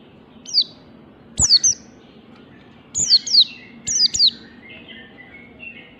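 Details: Oriental white-eye giving ngalas-style morning song for training birds: high, quick, down-slurred whistles, single or in pairs and triplets, spaced about a second apart, with soft thin tones trailing after.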